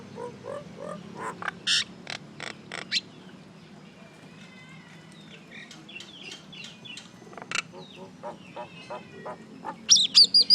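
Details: A little common myna making noise: bursts of harsh, rasping clacks, then thin whistled chatter and warbled notes, and a loud squeaky burst near the end, over a steady low background hum.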